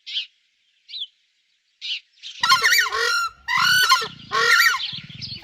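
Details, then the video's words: A screamer gives three short, high yelps, then loud, harsh honking bursts in quick succession, goose-like and trumpeting, repeated about once a second. "Screamer bird"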